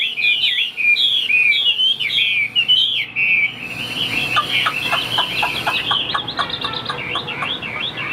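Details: A caged, tame Chinese hwamei sings bright looping whistles. These give way to a stretch of short, rapid clipped notes, then wavering whistled phrases again.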